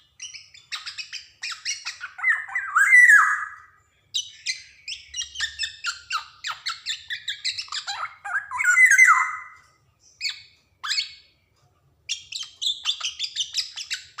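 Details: Energetic Javan black-naped oriole used as a tutor recording to make untrained birds sing: dense bursts of scratchy, squeaky notes with two drawn-out slurred whistles, broken by short pauses.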